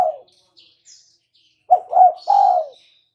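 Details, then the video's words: Spotted dove, a vigorously calling bird used as a lure to make other birds answer, gives one three-part phrase: two short rising coos, then a longer, falling coo. Faint high chirps from other birds sound earlier. "LANGSUNG NYAUT dan IKUT BUNYI dengan pancingan terkukur GACOR ini"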